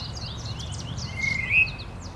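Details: A tufted titmouse gives its spring call, a single clear whistled note that rises then slides, among thin high chirps over a low steady background rumble.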